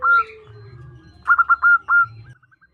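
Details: Female zebra dove, a local bird, calling the male with a quick series of four or five short, bright, mid-pitched notes after a single opening note, over a low hum and a faint sliding tone.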